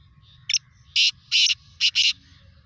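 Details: Kala teetar (black francolin) calling loudly: a brief opening note, then four rasping, noisy bursts in quick succession, the second and third longest, over roughly two seconds; soft low hum in background.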